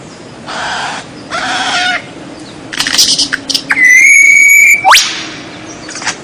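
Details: White-rumped shama tutor song for captive birds, with strange sounds: two soft nasal buzzes, a scratchy chatter, then a long level whistle ending in a sharp upward sweep.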